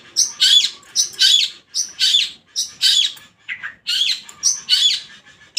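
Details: Long-tailed shrike, a kept bird said to be ready to perform when hung up, singing loudly and persistently: harsh, scratchy high bursts repeated about every half second, with one lower, shorter note near the end.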